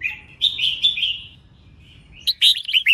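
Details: Female red-whiskered bulbul song meant to rouse males: a flowing warbled phrase of slurred whistles, a short lull, then a rapid burst of sharp, descending chirpy notes.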